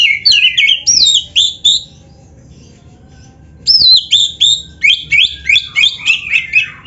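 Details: Oriental magpie-robin song aimed at getting other magpie-robins to answer. Clear, bright, downslurred whistles come in quick series, then a silent gap, then a further string of evenly spaced whistled notes.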